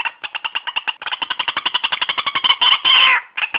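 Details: White-breasted waterhen, recorded for lure trapping, gives a quick regular string of harsh, nasal notes about four per second, ending with a couple of longer strained squawks.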